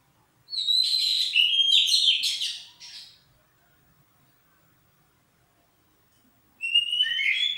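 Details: Oriental magpie-robin warming up: a burst of bright whistled and chattering phrases for about two and a half seconds, a pause of near silence, then a new loud whistled phrase starting.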